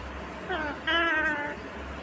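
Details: Indian ringneck green parrot talking: two brief harmonic, voice-like syllables, the second louder and held longer, over steady low background hum.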